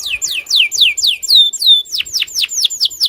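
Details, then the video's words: Loper canary singing aggressively toward a rival: about a dozen clear falling whistled notes in quick succession, some longer and slurred, over near silence. "Suara Burung KENARI LOPER NGAMUK Menantang LAWAN untuk BUNYI"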